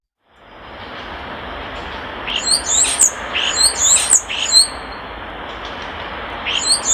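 A European starling gives bursts of high, squeaky whistles and clicks over about two seconds, then a brief reprise, against a steady background hiss.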